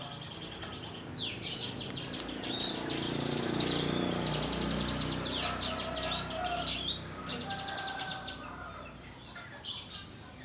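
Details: Young prinia, wild-caught, practising its ngebrem song: bursts of high buzzy trills broken by sharp falling whistles, repeated in uneven phrases, with a low rumble behind.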